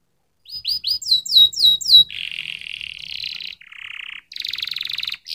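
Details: Canary singing after a short silence: crisp downslurred chirps in quick succession, then a long buzzy rolling tour, a lower rattling roll, and a high harsh trill, each phrase separated by brief pauses.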